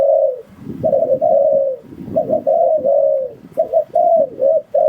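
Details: Spotted dove cooing as a lure for trapping wild doves: mid-pitched hoarse coos in phrases of two to four notes, the last note long and slightly falling, over low thumping and rustling noises.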